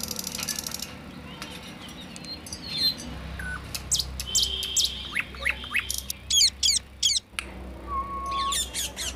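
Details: Caged parrot eating corn in its cage; scattered short, sharp high squawks and thin whistled notes over a steady low background hum, with a brief falling whistle near the end.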